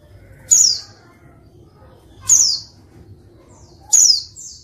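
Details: Female white-eye calling to spur reluctant males: three sharp, high notes sliding downward, spaced about one and a half seconds apart, the last followed by a brief softer high trill.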